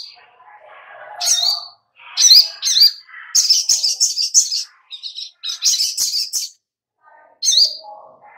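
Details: Little spiderhunter, locally sogok ontong, as a lure to prompt singing: high chip notes give way to fast, rattling runs of sharp notes lasting a second or more, broken by brief pauses, with softer lower twitters underneath.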